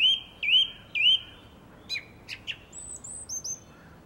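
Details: Song thrush in a garden, April 2021: three matching upward-swooping whistles in quick succession, then a run of short sharp notes and high thin whistles as the phrase changes.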